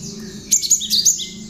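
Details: Tame, hand-reared cinereous tit (gelatik batu) singing often, its song filled with bar-winged prinia (ciblek) imitations, kept as a master bird for training others; a burst of sharp, high whistled sweeping notes over a steady hiss.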